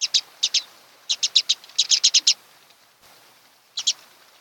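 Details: An osprey at a nest on Kent Island, Maryland, shared by a mated pair, gives short, sharp, high whistled chirps in quick runs of three to six with pauses between bursts, on 26 June 2018 around 9–10 a.m.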